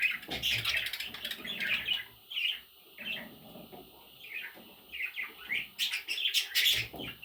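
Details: Young parrot chicks chirping almost continuously, high raspy peeps coming in uneven bursts, louder and denser toward the end.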